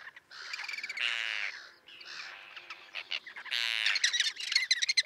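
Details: Small common tern colony with chicks, set on a concrete slab by a sea breakwater 1.5 km from the coast at Liepāja, Latvia, in June 2024: rasping, strained calls overlap continuously with quick sharp notes.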